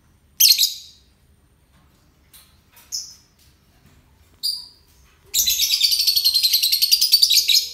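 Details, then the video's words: Euwing lovebird in ngekek: a few isolated shrill chirps, then from about five seconds a sustained rapid stream of harsh, buzzy, pulsing notes carrying on to the end. "Lovebird euwing ngekek"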